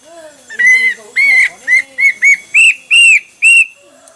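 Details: Hwamei song made of a steady run of eight loud, clear whistled notes, each slightly arched, some lengthening and rising toward the end, over a quiet background.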